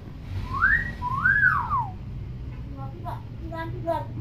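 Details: Tame common hill myna kept indoors, a clever talking bird: two loud whistled notes that rise and then fall, the second longer and arched, followed by soft chattering sounds, with low room hum and a man speaking nearby.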